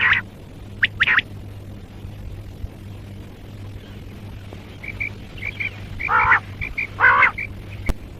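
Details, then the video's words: Common quail giving short, sharp, liquid notes in scattered bursts, some single and some in quick clusters, over a steady low hum. "Common Quail - Bird sounds - quail sound - Batair ki awaz"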